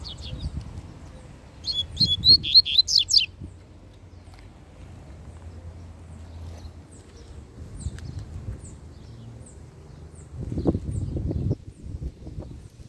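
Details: Double-collared seedeater flying free and set on getting at a caged one: a loud, fast string of piercing, buzzy chirps near the start, then scattered faint notes and bursts of low rumbling noise.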